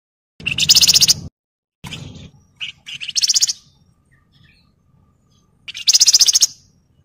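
A Javan Fulvetta gives rapid, high, buzzy trilled bursts about a second long, separated by short pauses and softer twittering notes.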